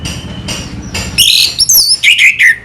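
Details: Orange-headed thrush (anis merah) 'selow' song: faint noisy notes first, then a loud phrase of high whistles sweeping up and down with quick chirped notes at the end.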